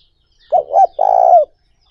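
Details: Spotted dove cooing, meant as a lure for other doves: a single full phrase of a short double coo followed by a longer, pulsing, slightly falling coo, deep and mellow, in quiet surroundings.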